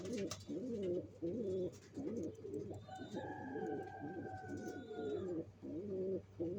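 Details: Pigeons at work building a nest for egg laying, with deep rolling coos that pulse on and off and a long steady tone sounding through the middle, over a low background drone.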